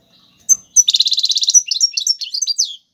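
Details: Tiwawati Galoubi and Serfati song of an Algerian European goldfinch, played to teach fledglings: a quick single chip, then a tight rattling trill of about twelve notes flowing into varied tinkling twitters.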